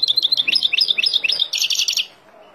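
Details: Wild European goldfinch song for training young birds: rapid twittering chirps run for a second and a half, ending in a harsher, buzzy trill before fading to quiet.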